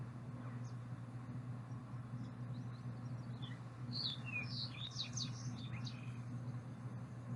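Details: Fox Sparrow of the slate-colored form singing bright, warbled whistled phrases that change each time, slightly richer than a towhee's and easily confused with Green-tailed Towhee, over a steady low hum.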